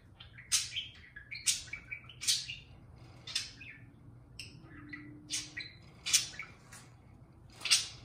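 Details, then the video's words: Pet parakeet indoors singing to a can of beer: chattering, scratchy chirps in uneven bursts about every second, with a faint low hum in the background. "Pixel the Parakeet Talks + Kiwi serenades a can of beer"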